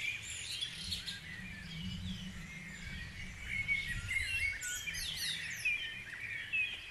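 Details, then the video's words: Several birds singing together at dawn in Guisborough, a dense layer of high chirps, slurred whistles and short trills, with a low rumble in the first half. "Dawn Chorus"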